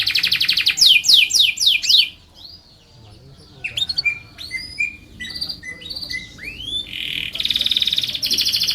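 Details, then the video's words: Canary in long, lively song used as a tutor and lure for other canaries: fast repeated sweeping trills, then a pause, then varied whistled upslurs and buzzy rolls ending in a steady rattling trill. "SUARA BURUNG KENARI ampuh buat MASTERAN KENARI & PANCINGAN KENARI"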